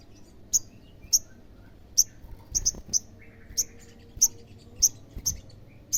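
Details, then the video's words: Olive-backed sunbird song used as a lure to make other sunbirds answer: sharp, very high single chips repeated roughly every half second, sometimes doubled. Faint low knocks in the background. "SEMUA SOGON PASTI NYAUT PASTI GACOR DENGAR SUARA SOGON GACOR INI"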